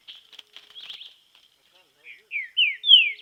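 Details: Green-winged saltator in training in nature: a soft burst of jumbled high notes, then a pause and a series of loud whistled downslurs that grow stronger toward the end.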